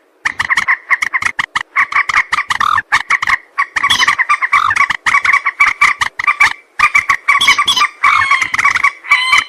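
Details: Moorhen hunting-lure calls, heard as an almost continuous stream of loud, rasping, croaky notes delivered in fast stuttering series, with very few gaps.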